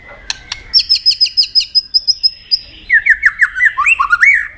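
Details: Competitively singing white-rumped shama, tail flicking: two sharp clicks, then a rapid string of high repeated whistled notes, followed by a lower series of warbling, looping whistles.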